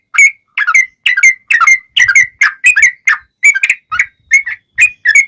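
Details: Yellow-vented bulbul singing to lure others into replying: a brisk series of paired, liquid, chortling whistles, rising and falling, about two to three notes per second over five seconds.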